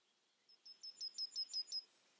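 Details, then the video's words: Yellowhammer: a quick run of about seven high, thin, evenly spaced chipping notes over roughly one and a half seconds, followed by a faint drawn-out higher note, against a quiet background. "Goldammer vor der Kamera. Yellow hammer observation"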